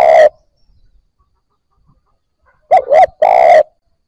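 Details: Spotted dove, a newly caught bird starting to coo, played to stimulate fresh captives: a cut-off coo, then a pause and a two-note wavering coo run into a long sustained buzzy note, clean background.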